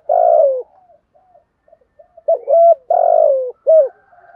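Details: Caged decoy spotted dove used to train other doves to call, giving loud low coos around 600 in a repeated phrase: a long falling coo, a pause of faint notes, then short clipped coos and another long falling coo.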